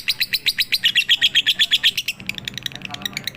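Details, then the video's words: Lovebird singing in full pigter style for a night training recording: quick bright chips at about four per second, a loud even run followed by softer, more clipped notes. "MASTERAN SUARA BURUNG LOVEBIRD COCOK UNTUK MALAM HARI FULL PIGTER"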